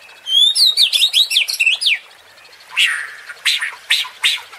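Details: White-rumped shama provoking song for competition birds: a burst of quick, tumbling whistled notes, then a pause and several harsh, hoarse rasping calls.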